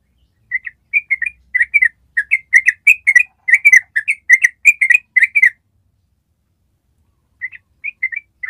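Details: Yellow-vented bulbul, long ropel style for training other birds: quick bubbly chirps for about five seconds, a pause of two seconds, then a few more notes resume.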